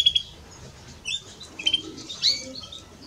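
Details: European greenfinch song from a male and female: scattered short high chirps and clipped whistles, spaced about half a second to a second apart against a quiet background.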